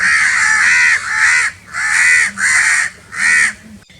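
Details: Crows cawing very loudly: five long, harsh, rasping caws, each about half a second or more, arriving in an uneven run with short gaps between them.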